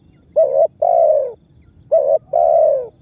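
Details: Spotted dove lure call meant to make other birds join in. Two phrases, each a short flat note followed by a longer, husky, descending coo, spaced about one and a half seconds apart.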